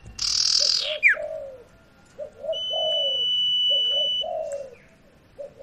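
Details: Sirtu song used as a lure for a bird that has stopped singing: low mellow coos in twos and threes, with a sustained high buzzing tone in the middle and a loud hiss and down-slurred chirp at the start.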